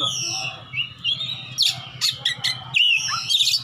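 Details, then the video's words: Oriental magpie-robin fighter seeking an opponent, ngeplong singing: soft drawn-out whistles at first, then loud sharp clicks and bright slurred whistles in quick bursts, with a steady low hum underneath. "kacer petarung cari lawan//ngeplong-ngeplong"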